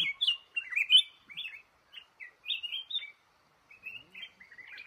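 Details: Male red-whiskered bulbul caught in a trap in a cashew orchard sings clear whistled phrases. It opens with a quick, lively burst, then gives spaced single notes, ending in a rapid twittering flourish.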